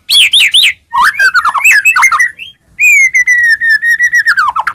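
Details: White-rumped shama singing to provoke rival shamas: rising-falling whistled notes, a tumbling varied phrase, then a long steady trill of rapid repeated notes ending in a downward flourish.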